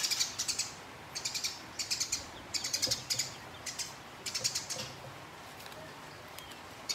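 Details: A house sparrow in a fight with a rival makes a long, rolling chatter. Fast trains of harsh, ticking chirps arrive in clusters about every half second to second, with no other clear sounds.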